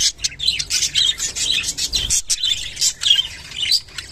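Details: Mating call of a rainbow budgerigar, a dense run of high chirping, twittering warble and short squawks, pouring out almost without pause and interrupted by brief gaps.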